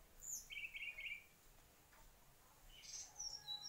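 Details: Mangrove whistler song: a short, rattling mid-pitched trill of rapid notes, then a pause and a burst of very high thin chirps and whistles near the end.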